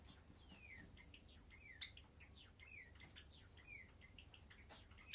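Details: Pet Java sparrows (Padda oryzivora) at home, a friendly pair or group, give short, high, downward-sliding chips, several a second and overlapping, over faint high hiss and low room hum.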